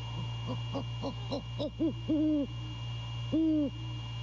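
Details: A male great horned owl on a late-night visit at 1:24 AM in January at Skidaway, Savannah, gives deep hoots: a quick run of short stuttered notes, then two longer, steady hoots, over a constant low electrical hum.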